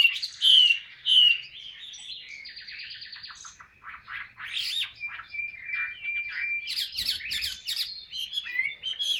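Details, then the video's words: Caged Chinese hwamei singing a style described as ngũ trường cao cầu: a continuous, varied run of loud slurred whistles, quick buzzy trills and sharp rising notes, with a sustained high whistled stretch midway, the phrases tumbling rapidly one after another. "HM 230 ngũ trường cao cầu"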